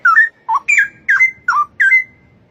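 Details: A wild straw-headed bulbul (Pycnonotus zeylanicus) sings rich, liquid whistled phrases, six short bubbling notes in under three seconds, some rising and some falling.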